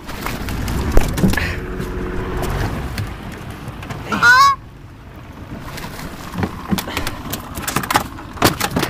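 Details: A territorial Canada goose harassing a boat it treats as its own gives one loud, harsh honk that bends in pitch, about half a second long, amid people talking, a dog nearby and steady background rumble.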